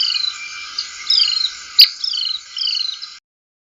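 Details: Little Bee-eater, a southern African bird, giving thin, high chirps and short downslurred trills in loose bursts, with a sharp click midway.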